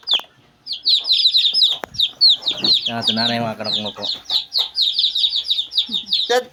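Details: Several two-day-old Shamo chicks give a nearly continuous stream of shrill, falling peeps. Midway a lower, buzzy harmonic sound lasting about a second rises briefly beneath them.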